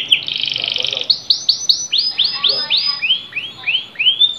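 A canary sings a fast, high buzzy trill, then a run of repeated down-slurred whistled notes about four per second. A faint background hiss is present.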